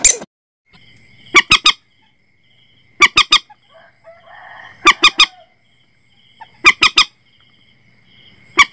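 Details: Common Moorhen call used when setting nets at night: sharp, ringing notes delivered in triplets at uneven intervals of about two seconds, with soft fainter calls and a thin steady tone between them.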